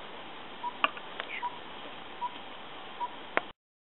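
A tinkerbird gives short, pure, mid-pitched tink notes spaced evenly, one every 0.8 seconds, against a low hiss with a few sharp clicks.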